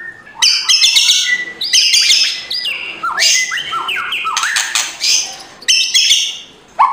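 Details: Loud white-rumped shama song full of rough kretekan rattles, a morning recording for stirring a sluggish shama; rapid scratchy bursts mixed with quick swooping whistles, nearly continuous.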